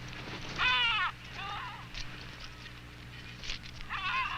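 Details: Adélie penguin (Pygoscelis adeliae) at an Antarctic nesting rookery, apparently screaming while being banded, gives harsh, bleating squawks in three bursts, each about half a second long, over a low steady hum.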